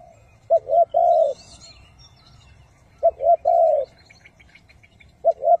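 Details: Spotted dove cooing, a recording for luring wild doves into traps, in the local styles called hậu, thúc and gù: low hollow coos, two short notes then a longer drawn coo, repeated about every two and a half seconds, faint background hum.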